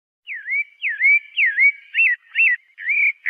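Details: Pale-breasted thrush giving a short burst of song: several clear whistles that dip and climb, followed by quicker looping notes, repeated about twice a second with nothing else audible.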